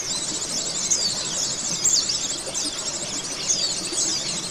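Oriental white-eyes chatter in a dense, continuous stream of high, thin twittering notes and quick rising and falling trills, with no pauses.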